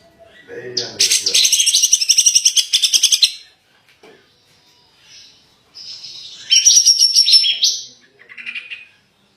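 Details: Grey-cheeked bulbul (cucak jenggot) singing gacor in the 'dor tembakan' burst style, used as a tutor recording for songbirds: a dense, fast buzzy trill of rapid high notes, a pause, then a second bright rattling burst.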